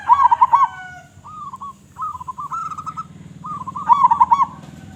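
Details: Loud local zebra dove song, delivered in rapid bubbling phrases of trilled, wavering coos, several short phrases running close together with a low steady hum behind them.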